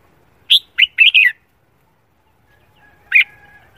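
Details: Caged red-whiskered bulbul in morning song training for singing competitions: a quick phrase of four bright, warbled notes, then silence and one more sharp chirp near the end, with quiet background.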